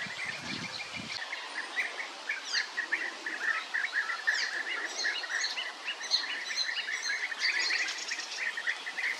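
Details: European bee-eaters calling together, a dense chatter of short rolling notes repeated in quick succession from several birds, with a brief low rumble at the start.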